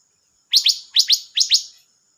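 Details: Silver-eared mesia singing, dated 25 May 2022: three quick pairs of loud, high, downward-sweeping chirps, each pair close together, then silence; no other sounds.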